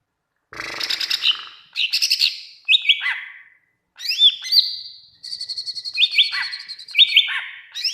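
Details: Greater green leafbird in vigorous song, recorded to get other leafbirds singing back: rich chattering, repeated sharp descending whistles, and a long steady high tone, nearly continuous after the first half second.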